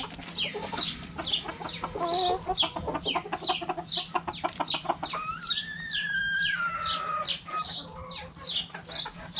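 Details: Backyard hens and roosters with a cabbage: fast runs of clucks, then a long, level, drawn-out crow lasting about two seconds, all under frequent high chirps.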